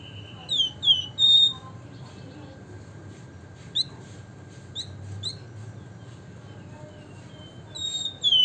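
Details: Flamboyan, the Javan fulvetta, with gacor ngebren nyiul singing: a few clear high whistles open, then scattered short, sharp, slurred notes with long gaps. Another whistled phrase comes at the close.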